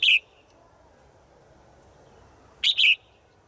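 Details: Female bird calling to a male in the forest: a quick high chirp, a pause of over two seconds, then a doubled bright whistled note, with steady low background noise.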